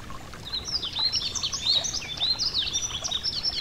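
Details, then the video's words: Beside a gentle stream, a yellow-throated bunting gives a fast, high series of thin chirps and short slurred whistles, tightly packed, over a constant murmur of flowing water. "Relaxing Nature Sounds: A Gentle Stream & The Yellow-Throated Bunting (Emberiza Elegans)"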